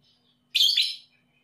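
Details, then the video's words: Lovebird call used as a prompt to stimulate lazy lovebirds to sing: a single harsh, buzzy chirp of about half a second, high-pitched and noisy, with a faint whistle before it. "PANCINGAN LOVEBIRD PAUD EMOSI"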